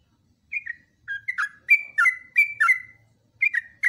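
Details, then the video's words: Long training song of a yellow-vented bulbul (trucukan): clear whistled notes in pairs, each dropping in pitch, repeated at an uneven lively pace of about three a second with short gaps. "TRUCUKAN GACOR ROPELAN PANJANG"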